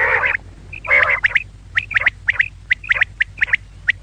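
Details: Female quail: two nasal, rasping notes open, followed by a fast run of crisp high chips in pairs, about a dozen within a few seconds.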